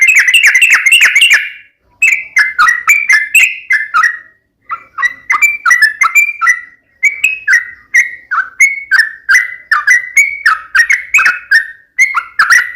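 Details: Sooty-headed bulbul in strong tarung song with uplik ropel phrasing. A rapid bubbly burst opens a long string of clear, fluty two-part whistles, broken by short pauses. Lively and close, with nothing else audible.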